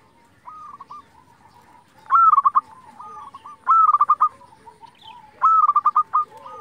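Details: Local zebra dove in strong singing form, used as a lure to provoke other doves to answer: three loud phrases, each a high opening note then a quick staccato trill, with fainter cooing from other doves between.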